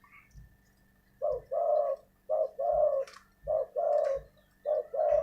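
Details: Spotted dove used as a decoy bird, giving loud, low cooing phrases: each a short coo followed by a longer rolling coo, repeated four times in steady sequence, with faint clicks and a quiet room background.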